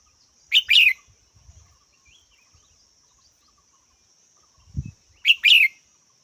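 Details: Red-whiskered bulbul giving its double-noted chirp twice, several seconds apart, over a steady high insect-like drone and low thumps and rustles.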